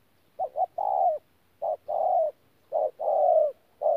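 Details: Spotted dove, a wild-caught bird (bổi thổ) recorded at Tu Mơ Rông on 14 January 2019, giving low hollow coos: a short note, then a longer falling drawn-out coo, in three phrases over four seconds in a quiet setting.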